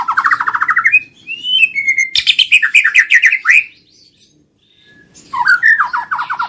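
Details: Murai batu (white-rumped shama) singing as a lure to trigger other birds into song and mating; a fast rising trill, then loud varied whistled and chattering phrases, a pause, and another trill, indoors.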